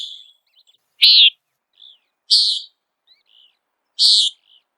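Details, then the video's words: Common Nighthawk peent calls, given in flight while searching for insects: short, buzzy, nasal high notes repeated about once every one and a half seconds, three clear calls on a silent background. "Let's listen the call first and identify the call of common night hawk."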